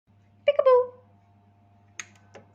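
A cockatiel mimics speech in a short burst of high, voice-like syllables ending in a drawn-out falling word.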